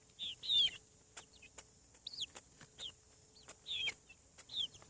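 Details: Newly hatched chickens on a farm: sharp, high downward-sweeping peeps, some in quick pairs, spaced irregularly, with soft clicks between calls.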